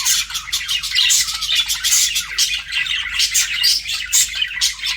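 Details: Flirting budgies chatter in a fast, busy stream of bright chirps and harsh squawks, rising and falling in loudness about twice a second.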